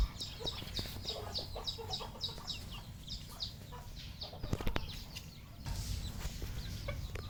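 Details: Red junglefowl raised on a farm: a run of high peeping notes from several young birds, repeated quickly, with scattered clucks and low background hum.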